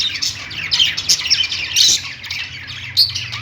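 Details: Pet-store budgies perched together, keeping up a constant high warbling chatter broken by sharp squeaky chirps and brief louder peaks, with a soft low-frequency hum underneath.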